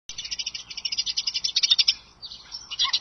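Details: Bald eagle at the Sidney nest (eagle cam), morning of 25 March 2011, gives a rapid, high, thin chittering series of piping notes, about ten a second, rising into louder bursts with a brief pause before resuming.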